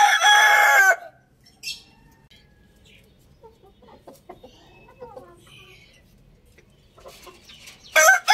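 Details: Rooster crowing loudly, one of two roosters: a harsh harmonic crow lasting about a second at the start, then quiet with faint clucks and scratching, and a second crow beginning at the end.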